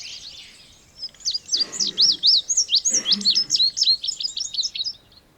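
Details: Indigo bunting singing: a bright, high, sweet phrase of about four seconds built from paired, sharply slurred notes, rising and falling, ending in quicker, softer paired chirps, against a quiet background.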